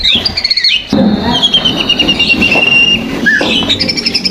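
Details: White-rumped shama lure song used to provoke birds: a long, level whistled note with trills, a brief upslurred call, then a higher whistle, over steady background noise and faint music.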